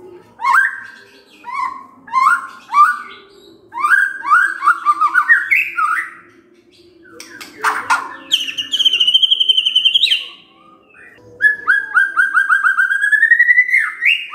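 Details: White-rumped shama song used as a lure to provoke and draw out its full repertoire: loud varied phrases of rising and falling whistled slurs, rapid trills and harsher chattering bursts, with short pauses between bursts and a faint low hum beneath.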